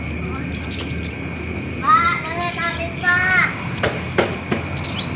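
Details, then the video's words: Olive-backed sunbird song used to draw responses from caged birds: paired piercing high chips repeated about every half second, mixed with short nasal, harmonic-rich calls, over a faint constant hum. "SUARA KOLIBRI NINJA GACOR FULL TEMBAKAN"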